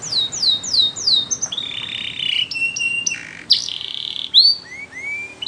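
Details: Belgian canary song: a run of descending slurred notes, then lower buzzy sustained tones and brief rising whistles over a noisy background.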